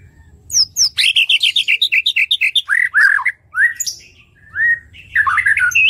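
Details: White-rumped shama pouring out a lively song for tutoring other songbirds: a fast run of about a dozen clipped, bouncing whistled notes, then slurred rising and falling whistles and a high rising phrase at the end, with faint low hum.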